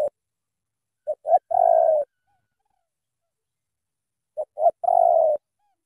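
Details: Spotted dove from Cà Mau, Vietnam, calling loudly: two short low notes, then a longer wavering coo. The phrase comes twice, about three seconds apart, with silence between.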